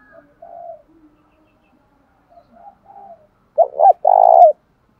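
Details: Spotted dove call used to stir males to fight: soft scattered notes, then a single loud low phrase of two short coos and a longer rolling coo near the end.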